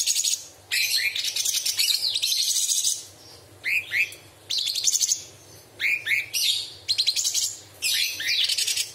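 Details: Caged cucak cungkok bulbul in strong, sharp full song, used as a tutoring recording and said to include imitations of small birds, large birds and insects: loud whistled upslurs and dense high buzzy trill bursts in quick bursts, with short pauses between.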